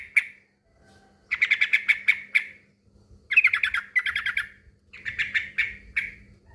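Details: A male yellow-vented bulbul (trucukan) calling a rival: several uneven bursts of loud, grating chatter notes, some rapid runs and some spaced single notes, over a low steady hum.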